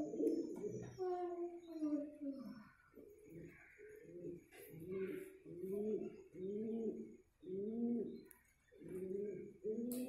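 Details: A pigeon courting indoors gives a clear series of low, bubbling coos, each phrase swelling and then fading, repeated roughly every second after a longer opening coo.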